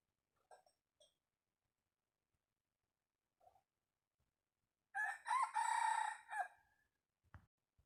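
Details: Decoy wild junglefowl rooster crowing once: a loud, harsh, ragged crow of about a second and a half. Faint clucks come earlier, and a thud follows in otherwise quiet surroundings.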